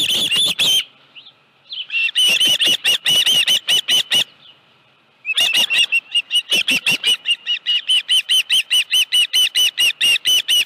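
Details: Osprey with a live fish at the Dunrovin Ranch nest, 25 July 2018, 5:23 PM, calling in runs of piercing high chirps about two or three a second, separated by short silent pauses.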